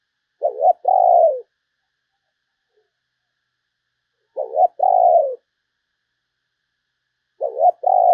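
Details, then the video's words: Spotted dove decoy call used to lure other doves: a short low coo followed by a longer, slightly falling coo, the two-part phrase repeated three times about every three seconds with silence between. "chim cu gáy kích bổi mới"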